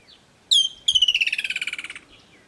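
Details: A woodland kingfisher in the bushveld of Kruger National Park gives its loud bubbling summer call: one sharp high note, then a trill of about a dozen notes that falls in pitch and fades.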